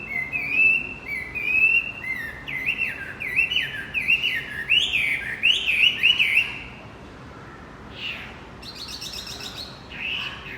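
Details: A Javan white-eye sings as a lure for a male that stopped singing: long sequence of loud, looping high chirps in quick succession, then a quieter gap with a few scattered notes and a short buzzy rattle.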